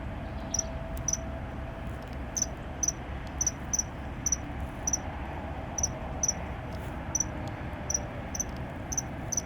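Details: Common kingfisher (Alcedo atthis) in the Netherlands giving short, very high, sharp notes, often doubled, repeated about every half second, over a steady rush like running water; reason for this unusual call unknown.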